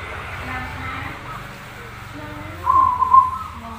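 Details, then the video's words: Zebra dove, a prolific singer on a tutor (masteran) recording: one short, pulsing, stuttered coo phrase near the end, preceded by low murmuring background noise. "suara Perkutut Gacor masteran"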